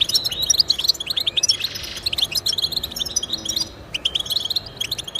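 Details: European goldfinch song played to motivate pet goldfinches to sing: quick tinkling twitters and short liquid trills, densely layered high notes in rapid bursts with brief gaps.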